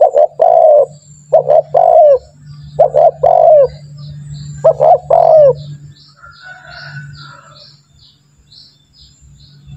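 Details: Spotted dove (tekukur) calling as a lure to prompt doves to call; four quick deep coo phrases in the first half, then near silence with a steady low hum and faint distant chirps.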